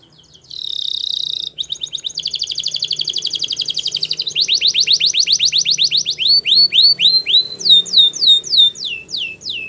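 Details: Spanish Timbrado canary song for training young canaries: a high ringing roll, then progressively slower trills of rising chips, ending in looping, well-spaced whistled notes that swoop down and back up.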